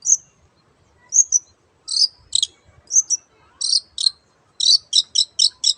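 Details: Long-tailed shrike singing energetically, played to lure silent shrikes into singing: short harsh, scratchy high bursts, sparse at first, then quickening into a run of five rapid rasping notes near the end, over a quiet background.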